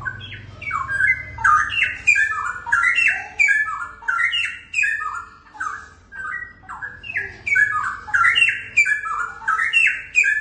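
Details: A young forest-caught Straw-headed Bulbul pair, DNA-sexed male and female and kept captive, pour out loud, rich, bubbling warbled phrases, repeated almost continuously with rising and falling notes, in a small indoor space.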